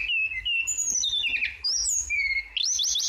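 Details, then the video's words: Actively singing flowerpecker recorded as tutor material for songbirds: a fast string of thin, high whistles that rise and fall, with dipping slurs and a closing burst of rapid, jumbled high notes. "MASTERAN TLDEKAN GACOR BURUNG TLEDEKAN"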